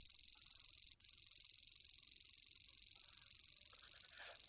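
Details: A Grasshopper Warbler, perched out in view, reels its song to attract a mate and defend its territory: a high, dry, insect-like trill, unbroken except for one tiny catch, with faint background sounds beneath.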